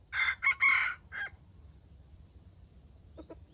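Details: Wild chicken crowing meant to lure wild chickens into a trap: a quick rasping crow in three joined bursts with a short tag note, then quiet with faint knocks.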